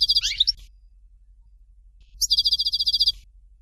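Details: European goldfinch singing in the Dalya style, Fort de l'eau variety: a short burst of bright, buzzy twittering, a second of silence, then a fast, even, rattling trill lasting about one second, all high-pitched.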